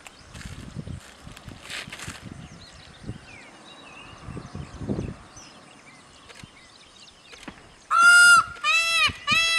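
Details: Indian peafowl peacock during its display dance, giving three loud, nasal, strongly harmonic wailing calls in quick succession near the end, after a quieter stretch of rustling and faint distant chirps from small birds.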